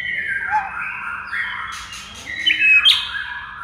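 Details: Murai batu, the White-rumped shama, in masteran training song for silent birds: rich whistled phrases, a low falling note, then sharp bright accents and a descending slur near the end.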